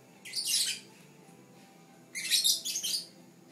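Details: Captive Fischer's lovebird giving two short clusters of shrill, high chirps about a second and a half apart, separated by quiet room hum while its siblings look on.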